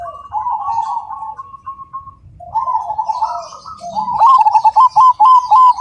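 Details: Cemani zebra dove: a soft, purring coo opens the phrase, then it builds to a rapid string of loud, ringing staccato notes at the end.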